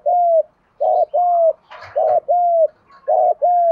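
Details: Steady spotted dove coos for stimulating decoy birds during training: a fast series of even, mellow, slightly falling notes, about seven in under four seconds, with a brief rustle near the middle.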